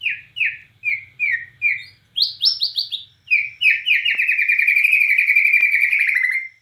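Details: White-rumped shama of the Borneo form, described as in full, lively song, delivers a varied run of clear whistled phrases: five short repeated downslurred notes, a burst of higher buzzy trills, then a long rich warbling phrase; faint low hum beneath.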